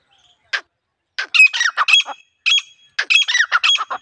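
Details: Female grey francolin, wild, used as a lure for trapping, calling in a village setting: harsh, squawking notes in quick uneven bursts, several grouped together with brief pauses between runs.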